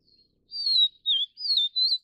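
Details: A faint note opens, then a Vivid niltava (Niltava vivida vivida) gives four bright whistles: a long downward slur, a short dipping note, another falling slur, and a final note that lifts at the end. No other sounds.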